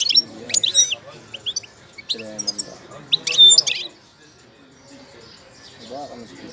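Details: Moroccan goldfinch in moult delivering quick, high, tinkling twitters and chirps in a dense run over the first four seconds, then falling almost silent apart from faint low background sounds.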